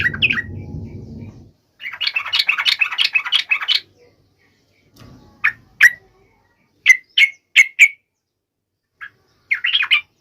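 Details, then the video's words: Sooty-headed bulbul (trucuk) singing with sharp, emotional intensity, played so other trucuk birds start singing. A low rumble, then a dense chattering burst near two seconds long, then scattered sharp, clipped whistled notes in short groups. "trucukan gacor FULL EMOSI TAJAM ini AMPUH MENJADIKAN agar supaya burung trucuk gacor seketika"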